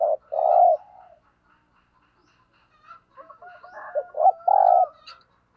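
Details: Decoy spotted dove in thúc gù cooing: a strong long coo opens, other small birds whistle and chirp through a quiet middle, then short coos lead into a final sustained coo.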